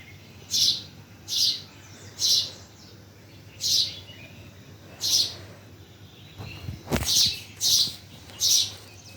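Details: Birds chirping at Bhimtal: repeated short high chirps about a second apart, with a low thump and quicker notes near the end.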